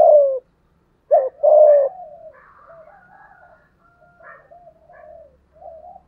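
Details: Decoy spotted dove in the 'giọng thổ' style: a loud falling coo, then a short quavering note and a long sliding coo, trailing off into faint soft cooing.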